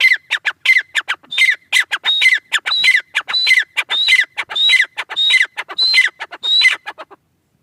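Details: Francolin (teetar) delivering a rhythmic string of harsh notes, paired with high upward-sliding whistles, at a steady pace until the calling stops near the end.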